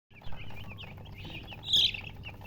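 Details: Newly hatched chicken chicks chirping loudly, a run of short high peeping notes, some rising, others falling, with a sharper burst near the end over a low steady hum.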